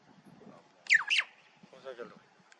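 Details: In autumn in the Dzungarian Alatau mountains, a Red-billed Chough investigates a horse being shod and seems displeased. It gives two loud, harsh, down-slurred 'chee-ow' calls in quick succession, with faint human voices murmuring before and after.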